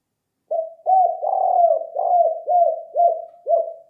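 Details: Spotted dove lure call: a run of about seven low, hollow arched coos repeated roughly every half second, some notes overlapping in a steadier droning layer midway, with no other sounds.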